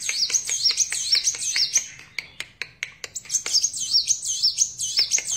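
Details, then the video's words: Sunbird (kolibri wulung, kaca) singing in full voice: rapid high, thin twittering phrases of sweeping up-and-down notes, broken midway by a run of sharp dry clicking ticks before the twittering resumes. "Burung Kolibri Wulung / Kaca Gacor"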